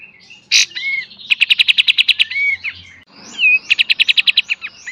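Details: Kapas tembak master song in beset and tembak style for cage bird training: a harsh burst, then two rapid trains of about ten sharp high notes each, separated by short rising whistles.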